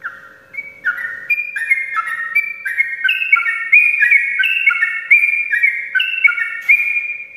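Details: Morning song of a sooty-headed bulbul: it starts quietly, then a long, dense run of whistled notes climbs and steps between pitches, delivered rapidly without a break over a faint hum.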